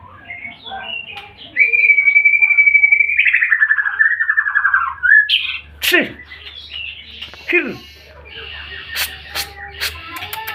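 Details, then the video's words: Active singing from a white-rumped shama: a long steady whistled note turning into a fast, slightly falling trill, then sharp chips and squeaky calls with scattered clicks and a faint background hum. "burung murai gacor"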